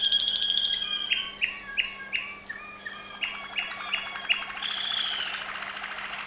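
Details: Waterslager Malinois canary from Veliko Gradiste, Serbia, singing indoors: pure whistled tones alternate with short, descending slurred notes, then a bubbling, watery rolling trill, all over a faint steady low hum.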